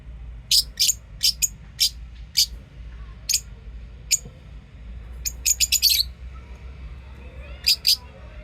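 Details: Lovebirds chirping and singing at home: bursts of shrill, high chirps, some rapid runs of five or six, then a pause before a final pair, over a low background hum.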